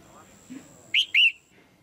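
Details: Calling to stimulate a male or for pairing, a caged female red-whiskered bulbul gives a short pair of bright whistled notes, the second longer and slurring downward. A faint steady high tone sounds behind.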